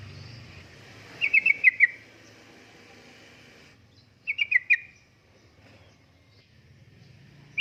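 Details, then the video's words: Lure and tutoring recording of a yellow-vented bulbul, energetic 'uplik-uplik' style: two brief bursts of four or five sharp, slightly falling bubbly notes, a few seconds apart, over steady low background noise. "Kicauan Suara Burung Trucukan Gacor Uplik Uplik,Pancingan Trucukan Gacor,Masteran Trucukan"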